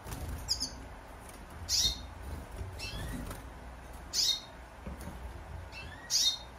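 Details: Nearly adult Eurasian siskin (Spinus spinus) giving thin, high chirping calls, louder notes about every two seconds with softer ones between, over a faint low background hum.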